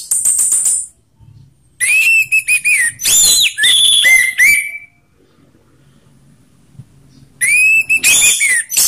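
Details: Orange-headed thrush delivering ngeplong song, rough and slow voices mixed to stimulate other thrushes; rapid high trills, then loud slurred whistles, a silent gap of about two seconds, and a fresh burst of rich phrases.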